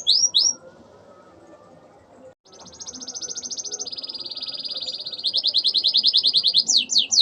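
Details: Singing canary whose song includes ciblek and ciwah (klik-klik) imitations, used as a master for training birds: two short sweeps, a silent gap, then long, steady, rapidly pulsed high trills that change pitch and end in quick downward sweeps.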